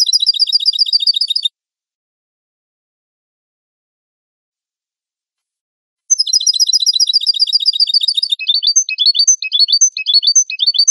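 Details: Clean European goldfinch song recorded for fanciers and trainers of birds: a rapid, evenly repeated high trill, a pause, the trill again, then varied liquid twittering and chirps, with no other sounds.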